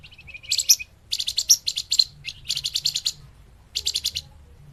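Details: Lure song of the scarlet minivet, known locally as flamboyan, for trapping birds: short clusters of quick, bright, high ticking notes, about five bursts separated by brief pauses.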